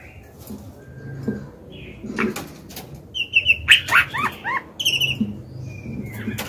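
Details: Female white-rumped shama, a kept songbird, singing to stir males into song: short bursts of clear whistled notes and slurred rising-falling phrases around the middle, mixed with sharp clicks and wing flutters, over a low background rumble.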